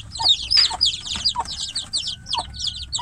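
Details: Domestic chicks shut in a cage while the mother hen stays outside, calling loudly for her: dense, overlapping high whistled peeps, each sliding downward, tumbling out several times a second with no steady rhythm.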